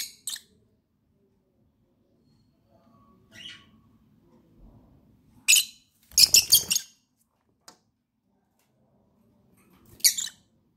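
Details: Pet lovebirds playing and enjoying themselves, giving short, harsh, high shrieks in scattered bursts: a single call at the start, one a few seconds in, then a quick cluster of four rasping notes and a last burst near the end, with quiet gaps between.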